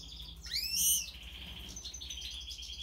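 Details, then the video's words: European goldfinch giving a loud sweeping upward chirp followed by a thin steady trill and soft high twitter. "Stieglitz Major Weiskehl 🐥 Goldfinch Cardueli طائر الحسون الرائد щегол"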